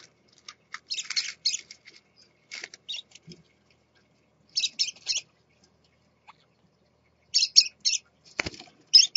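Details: Captive scarlet-chested parrot father with his chicks: clusters of high, harsh, scratchy chattering calls in short bursts separated by pauses, with occasional shuffling and rustling.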